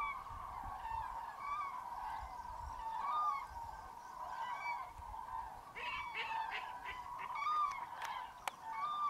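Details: At a huge winter roost in central Spain, hundreds of common cranes call as a frozen, foggy dawn breaks in mid-January. Greylag geese and teal are also present. Loud, bending trumpet notes stand out above a constant massed chorus.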